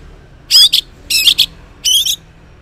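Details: Morning song of an orange-headed thrush, played to coax mute males into replying: three dense, rich, high warbled bursts, each under half a second, spaced by brief silences.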